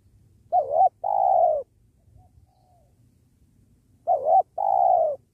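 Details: Spotted dove at a trapping site by a sacred tree giving two low coo phrases, each a brief wavering note followed by a sustained soft note, separated by quiet with a faint low rumble.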